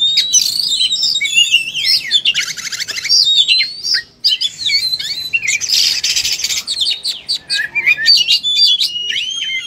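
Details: Caged oriental magpie-robin in full fighting song, pouring out a rich medley of varied whistles, rapid trills and harsh buzzy bursts, high and continuous with brief pauses.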